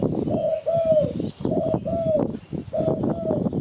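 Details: Spotted dove, recording played to lure birds for catching: three sets of two-note coos, the second note longer and drawn out, over continuous crackling, clicking noise.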